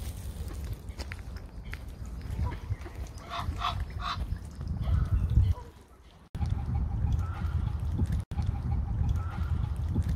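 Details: Wild Egyptian geese (Alopochen aegyptiaca) at a London waterside, feeding on seeds among other water birds, give a short burst of three harsh honks, then rapid, even strings of nasal notes over a low rumble of wind or handling noise.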